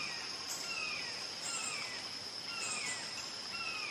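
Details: Red-shouldered hawk giving repeated descending kee-ah screams, roughly one per second, each dropping in pitch, with a constant shrill insect hum and rural outdoor background.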